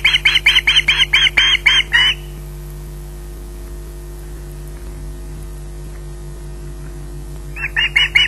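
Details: Osprey at RSPB Loch Garten squawking while it waits for food: a fast string of about eight harsh calls, a long quiet gap of over five seconds, then a fresh burst at the end.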